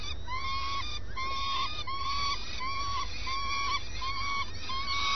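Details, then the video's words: Early-morning swift at the nest: a run of repeated, even, tonal calls with a nasal, buzzy timbre, roughly one every half second, over constant low background hum. "Desayuno con vencejos"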